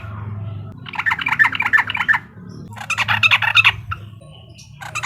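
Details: Sooty-headed bulbul in uklik style, sung to rile a rival bird: two bursts of quick, buzzy chattering notes separated by a gap, over a low background hum.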